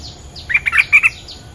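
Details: Territorial bulbul responding to a lure: a compact phrase of five or six bright, bubbling chirps in about half a second, loud and clear over a quiet background with faint distant notes.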